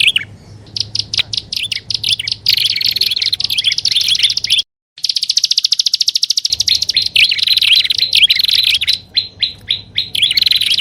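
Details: Prinias for luring, with grassland and upper and lower prenjak calls combined: dense high chattering and fast trills, a brief dead silence midway, then sustained rapid buzzy chirping.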